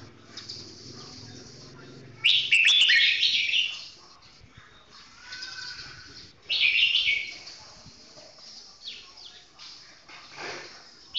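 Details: Red-whiskered bulbul singing slowly and clearly, praised for its golden voice. Two loud, rich warbled phrases rise out of a noisy background, with faint fluttering and scratchy sounds between them.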